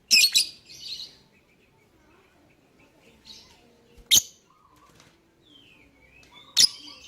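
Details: Lovebird chirps used to lure other birds into singing: a harsh double screech, then single sharp chirps spaced a few seconds apart with faint twitters between.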